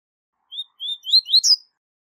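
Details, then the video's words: One close phrase of the double-collared seedeater's 'tui tui zel zel' tutoring song: three or four upslurred whistles climbing in pitch, finished with a brief buzzy trill. "Canto Tui Tui Zel Zel De Alto Nível - Canto Ótimo Para Encarte De Coleiros e Papacapim"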